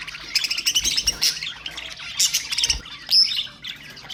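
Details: Budgerigar chatter used to stimulate other birds: dense warbling and chirping, with bright rapid trills and short squeaks that come in bursts.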